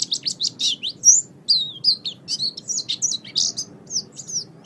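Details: Pet oriental white-eye song recorded to train other caged birds: loud, busy, high warbled chirps and short whistles tumbling in quick succession throughout.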